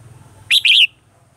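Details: Red-whiskered bulbul morning song, mature wild-style voice, as a lure for training caged birds: one short phrase of a bright chirp and a wavering warbled note, over a faint low throbbing hum.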